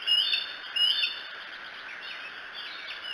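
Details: Bald eagle at Decorah, recorded by a nest camera on 2 July 2018 between about 3 and 4 a.m.; two loud, sharp, high whistled notes close together, then faint scattered chirps over a steady background hiss.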